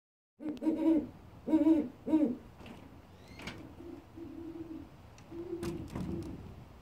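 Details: One of two great horned owls at an avian reconditioning center gives three deep, resonant hoots in quick succession, followed by a run of softer, lower, drawn-out hoots.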